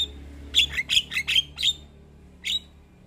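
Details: Javan myna calling: a quick cluster of five harsh, squeaky chattering notes, a pause, then one more sharp note, over a faint low hum.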